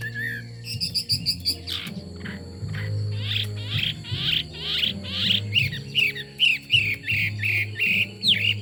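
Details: Chinese hwamei delivering a lively, varied song: a short whistle, a rapid stuttering series, then a long run of fast, buzzy and whistled notes packed closely together, all over a low background drone.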